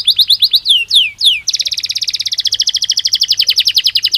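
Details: A Belgian canary sings: quick chirping notes and a few long falling slurs, then a fast, dense, buzzing trill that runs steadily for nearly three seconds.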